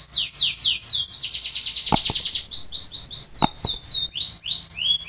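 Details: Canary song used to train caged birds that fail to sing: rapid descending sweeps run together into a dense rolling trill, then looping upslurred whistles, broken by a few sharp clicks.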